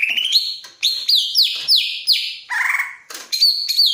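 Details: Greater green leafbird eager to mate delivers loud, rapid whistled phrases, some sliding downward, others held level, mixed with a lower buzzy note near the middle.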